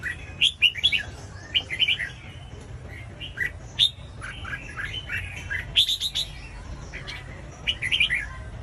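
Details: A red-whiskered bulbul sings short, warbling whistled phrases, repeated after brief pauses, used to stimulate other bulbuls to sing; some phrases are quieter and some end in a bright high flourish, over low constant noise.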